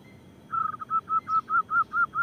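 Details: Local zebra dove with a loud voice, used to lure wild doves and provoke quiet ones into calling: about eight short, even, mellow notes at a steady pitch, repeated roughly every quarter second.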